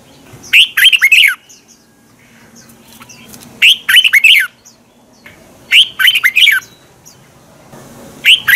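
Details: Red-whiskered bulbul twisting-voice song for training birds and competition singing. Four short phrases of clear, looping, warbled notes recur about every two to three seconds. Soft scattered chirps fill the gaps.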